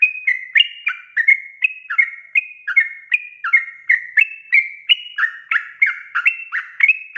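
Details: Lively gacor chatter of Sooty-headed bulbul, intended to lure untrained birds into song: crowded, overlapping whistled notes in an even rhythm, brief bright slurs alternating between higher and lower pitches throughout.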